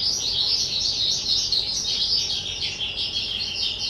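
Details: Pet skylark, two years old, 18 April 2023, with a steady, dense flow of high twittering and trilled notes throughout.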